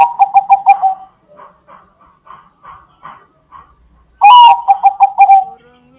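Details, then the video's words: Zebra dove of the Bangkok type singing to attract other doves. A rapid stuttering coo phrase trails into a run of softer, evenly spaced notes. Then comes a loud rising coo and another quick burst of short notes. "Bunyi burung perkutut bangkok cocok untuk pancingan bunyi burung perkutut"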